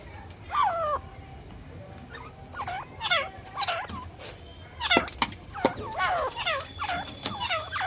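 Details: Grey francolin calling: a series of loud, curved, ringing notes repeated in bursts, rising and falling, with a short pause near the middle, over a low steady background rumble.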